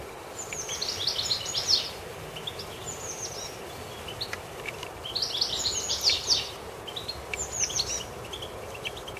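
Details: Common blackbird chick with its mother in a garden: bursts of thin, high chirping notes clustered at intervals, loudest groups near the start and middle, over steady broadband background noise.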